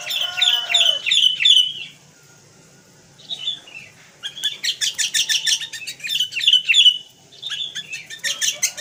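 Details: Sooty-headed bulbul in vigorous full-fill-in song, used as a tutor recording: bright whistled notes around the upper register, then bursts of rapid chattering phrases with a short silent gap between.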